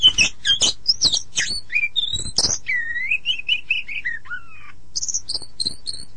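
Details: Oriental magpie-robin (kacer) singing: sharp varied notes and a buzzy burst, then a series of clear whistled notes repeated about five times, a falling slurred whistle, and thin high squeaky notes.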